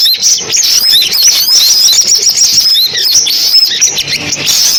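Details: Sunbirds heard in a compilation meant to attract birds to a trap: rapid, high chips and short rising and falling whistles, many notes each second, overlapping densely.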